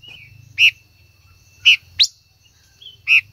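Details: Female silver-eared mesia singing to stimulate a male gives three separate loud, full notes about a second apart, plus one sharp, rising high note.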